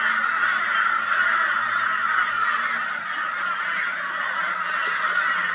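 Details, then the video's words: A crow gives loud, harsh, raucous caws in a rapid, almost unbroken stream, part of a flock of crows mobbing a barn owl, Brisbane, Australia, 22 February 2022; Crow. "Crow Reacts to Barn Owl with High Volume Raucous Noise"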